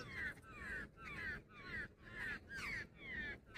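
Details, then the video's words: Female jungle babbler giving harsh, nasal, downward-slurred calls, about two each second in an even series, over a low rumbling background. "Jungle babbler sound effect | babbler bird Sound Grey | female babbler ki video"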